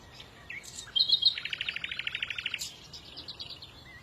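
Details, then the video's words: Songbird giving a brief high whistled phrase, then a fast even trill of about fifteen clipped notes lasting a second, followed by softer high twittering from another bird over a light background hiss. "فديو لعشاق تغريد العصافير"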